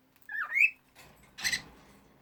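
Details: A sleepy pet female cockatiel (Nymphicus hollandicus) singing, which she does when sleepy, giving a short rising whistled chirp, then a harsh, breathy squawk.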